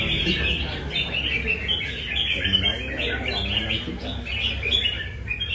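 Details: Red-whiskered bulbul from Nam Đông in 'cafe' style song practice in Da Nang, delivering dense bubbly warbles in uneven runs against a low rumbling backdrop with faint voices.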